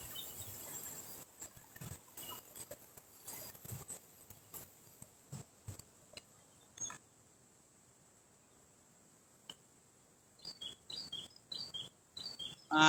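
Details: A prinia by the Cisadane River among riverside birds gives a quick run of high, thin, paired chips near the end, with rustling, handling noise and a loud clatter at the close.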